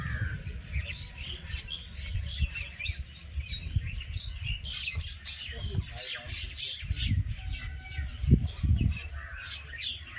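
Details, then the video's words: Birds chirping in a village: a dense, busy chorus of short high tweets and squawks from several birds that runs the whole time, over a low rumble of background noise. "bird chirping sound"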